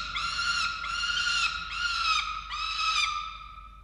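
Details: Falcon calls during feeding of chicks at a nest camera in Orange, Australia, 13 November 2022: four drawn-out, grating wails, each under a second long with short breaks between them, over a steady tone.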